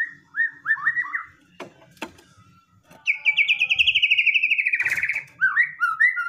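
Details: White-rumped shama singing aggressively to draw a response: falling whistled slurs, two sharp knocks, then a long rapid trill and closing warbled notes.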